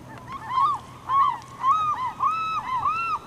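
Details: A Glaucous-winged gull slowly swallows a starfish at Campbell River, British Columbia, April 2007, and gives a rapid series of loud, arched, mewing calls that rise and fall, nearly continuous for three seconds.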